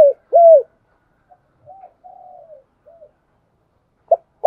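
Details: Spotted dove used as a lure bird, giving one loud arched coo, then soft low murmuring coos and the start of another phrase.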